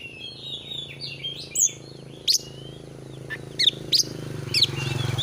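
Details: Oriental magpie-robin (kacer) in a clear masteran training recording, meant to excite a kept bird into display. Scattered sharp, high chirps and short whistles come at irregular intervals over a steady low hum.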